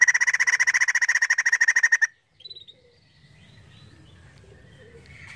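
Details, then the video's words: Crested laughingthrush in full song, played to goad other birds into singing: a fast, steady run of repeated chattering notes for two seconds, followed by faint soft calls and low background hum. "POKSAY JAMBUL GACOR UNTUK PANCINGAN BUNYI"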